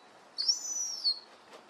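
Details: A juvenile herring gull, recently fledged and playing with its siblings in a garden, gives one thin, high whistled note, slightly rising then falling, lasting under a second, against a quiet background.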